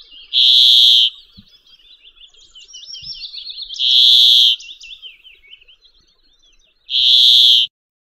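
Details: Brambling song: three harsh, drawn-out, wheezy buzzes, each under a second, spaced about three seconds apart, with thin, quieter twittering and zigzag notes from another bird filling the gaps.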